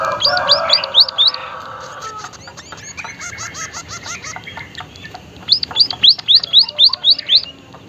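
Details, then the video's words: Lonchura maja, the white-headed munia or emprit haji, calling with an unusual voice: a burst of high arched notes over a low rushing noise, soft ticks and lower notes, then seven more thin, rhythmic arched notes. "emprit kaji haji gacor suara aneh"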